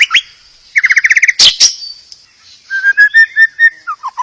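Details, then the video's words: White-rumped shama song played to prompt other shamas to sing: a short burst of rapid rising notes, a loud sharp note, then a row of clear whistled notes that step downward at the end. "Terapi murai pancing murai agar bunyi"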